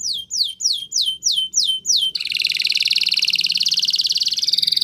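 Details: Singing Spanish Timbrado canary: six evenly spaced descending whistled strokes, followed by a long continuous rapid metallic roll held steady for over two seconds.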